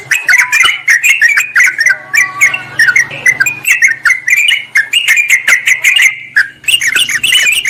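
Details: Sooty-headed bulbul lure recording meant to draw wild birds in forest or garden, presented as a rival-calling sound: dense, busy chattering of bubbly notes around mid-high pitch, overlapping phrases with rapid clicks, and a low steady hum underneath.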